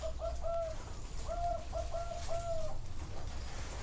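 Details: A zebra dove sings at a bird farm in Chana, Thailand. It gives a clear series of soft, bubbling coos in short bursts, pausing briefly mid-phrase, over a steady low rumble.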